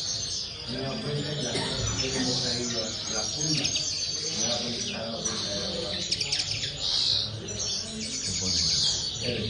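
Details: Common linnets twittering: a dense, continuous run of high, bright chirps and trills that shift and overlap throughout, with short buzzy flourishes near the end and a low murmur of background noise underneath.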